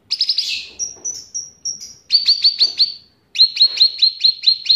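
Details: Bulbul (cucak ranting) in full song, trained with cicilin song: quick chattering chirps, a string of thin high whistled notes, then two series of rapid sharp repeated notes.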